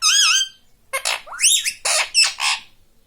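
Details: Pet rose-ringed parakeet indoors talking, saying words such as "mummy": a loud wavering note opens, followed by quick harsh, rising and falling speech-like syllables.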